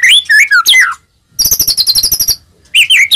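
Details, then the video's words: White-rumped shama song meant to provoke other shamas into singing: loud, sweeping whistled phrases, then a fast, high, buzzy rattling trill, then more swooping whistles. "murai batu gacor, AMPUH buat pancingan murai batu agar bunyi"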